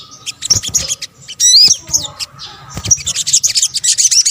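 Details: Sunbird lure mix: scattered high chips open the recording, then a loud, piercing, rising whistled flourish, and finally a fast busy stream of thin twittering notes.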